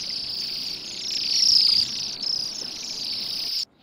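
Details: High shimmering trills from a waxwing flock eating rowan berries on a gloomy December day in a yard by a road, Pushkin, Saint Petersburg; overlapping calls form a steady band, swelling midway, then cutting off abruptly.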